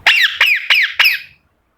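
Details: Pet ringneck parrot uttering four loud, rasping squawks in quick succession, each sliding downward, run together over about one and a half seconds before falling silent.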